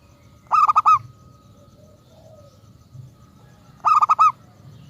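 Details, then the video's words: Local zebra dove used as a lure to draw other doves into answering: two quick bursts of four to five ringing, harmonic cooing notes, about three seconds apart, over a low steady rumble. "Perkutut lokal gacor RAJA PIKAT ahlinya bikin semua burung perkutut GACOR NYAUT"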